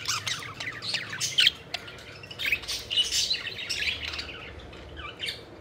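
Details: Pet budgies playing, a fairly soft mix of raspy chirps, clicks and short squeaky whistles, busiest in the first half before tapering off.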